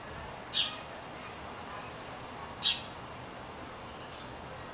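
A golden pheasant gives three short, sharp, high calls about two seconds apart, over a steady background hiss.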